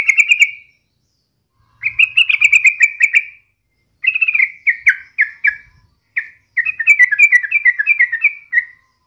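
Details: Yellow-vented bulbul (Pycnonotus goiavier) song: bubbly, chattering phrases of quick, slightly falling notes, each burst lasting one to two seconds with short pauses between.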